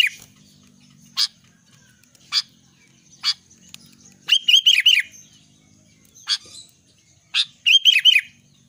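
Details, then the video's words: Albino sooty-headed bulbul singing actively: sharp, clicking single chips about once a second alternate with two bubbly, rolling phrases of looping whistled notes. "kutilang albino gacor"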